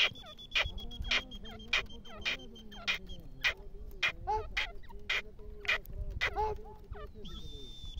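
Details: Partridge calling with a series of sharp, evenly repeated notes, roughly one every half second. A steady high whistle-like tone runs underneath, along with low background rumble.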